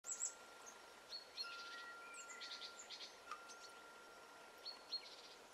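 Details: Willow tit calls: faint, buzzy notes with stacked overtones given in short series, plus a few thin high chips at the start and end, over a quiet hiss and a steady low tone.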